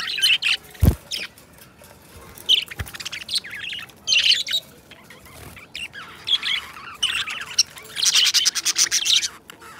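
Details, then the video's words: Two caged pet budgies chatter together in a long relaxing session of budgerigar song, giving bursts of rasping warbles and quick chirps, high-pitched and broken by pauses, with two sharp knocks early on. "2 Hours of Budgies Song -birds sounds - Singing and Talking"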